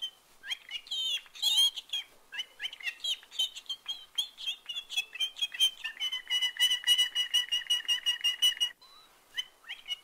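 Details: Canary Pinci, born 1965, sings high varied chirps and whistles, then a fast ringing trill of about a dozen even notes, and more twittered phrases; it inserts phrases learned from its owner, e.g. "Here are the birds!"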